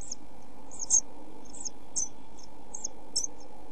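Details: Nest box camera recording from 27 June 2013 of pied flycatcher young suffering lack of food and heat: a few faint, very high squeaks at uneven intervals, with low humming background.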